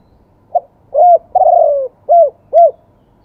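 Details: Spotted dove cooing in the wild-voice style with two closing 'kuk' notes: a soft short coo, a long drawn falling coo, then two brief arched coos. The phrase is given once, with a faint low hum behind.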